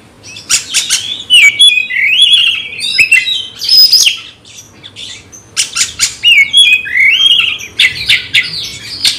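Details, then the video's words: Magpie-robin singing fiercely at a rival: loud varied phrases of whistles, rasps and chattering, two main bursts separated by a brief quiet spell. "nembak lawan tarung KACER BRUTALISME"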